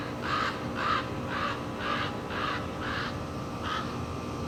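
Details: An agitated common raven defends its nest beside a climbing path, giving harsh, hoarse caws in a steady series, seven calls roughly every half second, each a short rasping burst, against a low outdoor rumble.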